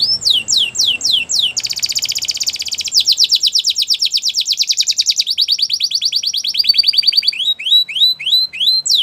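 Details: Training song of a Belgian canary: falling whistled notes open into long dense buzzy trills, then sections of rapid repeated syllables and rising-falling sweeps, all high-pitched and continuous.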